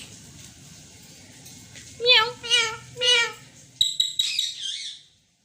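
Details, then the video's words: Indian green ringneck parakeet speaking in a speech-like voice, three strong harmonic syllables around two seconds in, followed by a rough, higher squawky phrase before silence; recorded indoors. "Indian Green Ringneck Talking Pakateet|Talking Parrot Urdu/Hindi"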